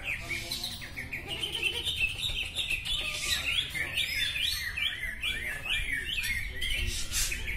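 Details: A greater green leafbird (cucak ijo) at a songbird practice contest pours out a fast, varied stream of high chirps, slurred whistles and rising notes, over a background of crowd chatter and other birds.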